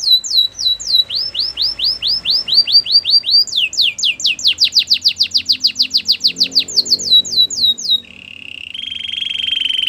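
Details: Canary singing, offered as training song: evenly repeated swooping whistles, a quicker run of falling notes, then a low buzzing roll at the end.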